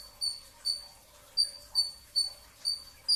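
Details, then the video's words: Brown-throated sunbird heard before dawn at sahur, repeating short, sharp, very high chip notes about twice per second in a quiet setting. "kicau konin dacok, kolibri ninja 2tak dada coklat full tembakan rapat"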